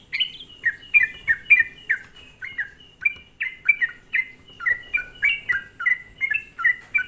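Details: Sooty-headed bulbul lure to provoke rival bulbuls: energetic repeated falling chirps in quick pairs and triplets, nearly continuous, with a higher squeaky start.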